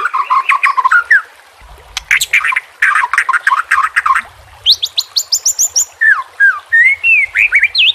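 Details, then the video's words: White-rumped shama training song for captive birds, packed with filler phrases: dense chattering bursts of notes, a series of very high rising squeaks, then clear sliding whistles. "JELAS NYAUT dan NGAMUK dengan pancingan murai batu TERBARU FULL ISIAN KOMBINASI"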